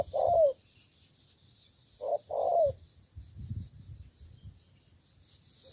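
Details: A single spotted dove decoy in Cà Mau, Vietnam, calling to rivals. Two husky coo phrases are separated by a pause, each ending in a falling slide, with faint background hiss and low thumps.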